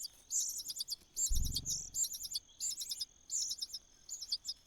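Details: Cuckoo in the nest: short clusters of high, rasping chirps in quick bursts, with pauses between them, and a brief low thump near the start.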